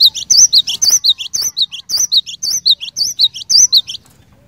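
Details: Cinereous tit song used to set other birds singing: a fast run of high, ringing two-part chirps, a bright wavering whistle then a lower clipped note, repeated steadily about twice a second over four seconds.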